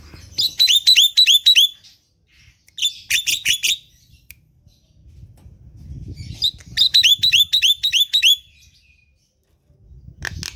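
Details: Javan myna kept at home, being coaxed to sing in the morning: three bursts of fast, repeated high chirping notes separated by pauses, with faint low rumbling between them.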